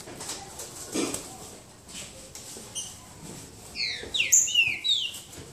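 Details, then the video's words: Green-winged saltator (trinca-ferro), a soft-billed bird, in a singing duel: a brief burst of loud, clear whistled notes, some rising and some sweeping down, after scattered clicks and rustling, over steady low background noise. "Trinca ferro boca mole disputa?"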